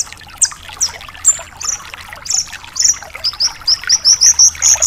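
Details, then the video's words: Javan bush lark singing strongly to train other larks: spaced high slurred whistles give way to an accelerating run of short sharp repeated notes, over a low, steady hiss. "Masteran Suara Burung BRANJANGAN GACOR DOR"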